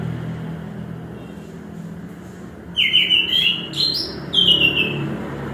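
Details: Chestnut-capped thrush (anis kembang) singing over a constant low rumble like passing vehicles; two bursts of loud, clear whistled and trilled phrases, one stepping upward, the other a sweeping high note.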